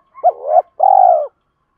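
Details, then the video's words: Spotted dove coo used to call wild doves and train decoys: a quick upward note running into a swelling phrase, then a long, even, purring coo that drops at its close. "tieng chim cu mồi thúc và gáy gọi bổi rất nhanh dìa cội/ tiếng gáy dùng luyện mồi và bổi"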